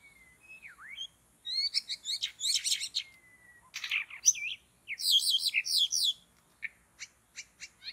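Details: Forest bird-trapping session with a white-rumped shama in loud, varied song: a dipping whistle, then fast rattling trills and crisp repeated chirps in quick bursts. A long steady whistle comes between them, and the song ends in spaced single notes.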